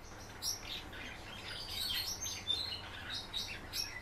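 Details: A captive young common house martin, in its first solo singing as its keeper coaxes it, gives a dry, chattering twitter of quick high chirps and short rasping notes, pouring out almost without a break over a faint low hum.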